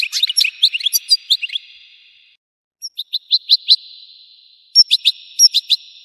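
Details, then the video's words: European goldfinch song made of crisp, high, separated chirps, a busy twittering run first, then slower evenly spaced notes in two short series, in the style labelled explosive. "تغريد الحسون المدمر صوت تفجير طائر الحسون"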